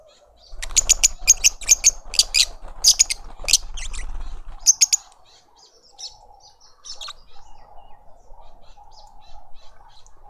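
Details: Lovebird family in a suburban Pretoria garden in South Africa, feeding a young bird. Rapid, piercing chirps repeat about twice a second over soft rustling and fluttering, then stop, leaving faint distant notes.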